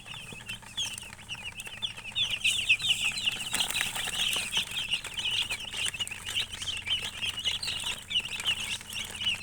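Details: Piercing chirps from many colored chickens continue for nearly ten seconds, with a wash of rustling and wing-flapping noise rising in the middle and the peeping steady throughout.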